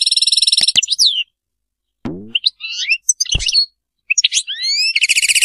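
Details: European goldfinch Serfati-style song: buzzy trill, then a low sweeping noise and scattered twittering notes, a brief gap, and a final bright buzzy rattle.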